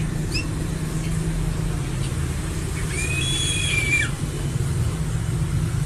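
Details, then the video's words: Crested eagle giving one drawn-out high whistle that ends in a falling slur, preceded by a faint short note, beneath strong constant low-frequency rumble. "Som de águia com crista"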